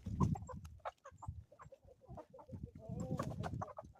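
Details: Morning in the Ozarks, homestead chickens clucking in quick, uneven bursts, with one drawn-out harmonic call near the end over low background rumble.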